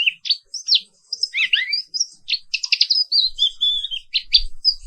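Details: Morning song of a black-capped white-eye, rolling on without pause: rapid high twittering, looping slurred whistles and short chirps packed closely together, with a brief low thump near the end.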